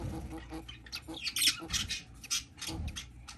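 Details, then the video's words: Baby budgerigar at hatching time: a run of short, shrill, scratchy squeaks in uneven bursts, loudest around the middle, over soft rustling. "Baby Budgie Hatching"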